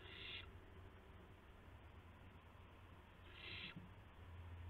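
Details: Owl heard just after midnight on April 7, 2016, as a gopher is delivered amid flapping and pouncing; two loud, breathy hissing screeches, one at the start and one about three seconds later, over steady low hum.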